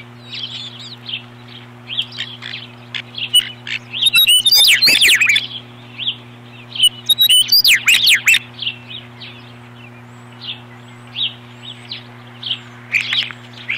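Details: Osprey pair guarding the nest from an intruder, 21 April 2015, one bird flying in to take over from the other: continuous high chirping, building into two loud frantic bursts of shrill calls, over a low hum.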